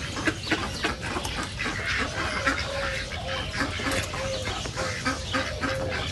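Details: Rasping quacks from a group of wild ducks in a reserve come in quick irregular bursts, with a few drawn-out nasal notes in between and a steady murmur of wind underneath.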